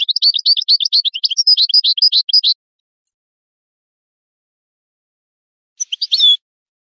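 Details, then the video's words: Goldfinch song recorded to teach chicks and songbirds: about two and a half seconds of fast, liquid, high twittering with tinkling overtones, a long silence, then a brief burst of chirps ending in a sliding note. "Analysis of goldfinch songs and their performance in education"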